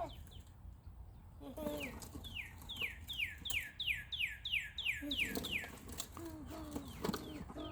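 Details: Northern cardinal song recorded on March 25, 2020, in which a steady series of about ten loud, sharply falling whistled notes repeats rapidly, followed by softer notes and low background noise.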